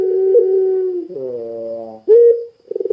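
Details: Puter pelung Barbary dove calling strongly, used to draw other doves into calling: a sustained level coo, a lower reedy note, then a sharp, bright, rising coo and a short, pulsing roll.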